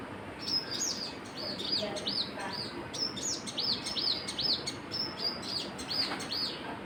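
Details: Birds giving a near-continuous series of bright, high, arching chirps, each note rising then falling, spaced a fraction of a second apart for the whole stretch over a constant soft background hiss.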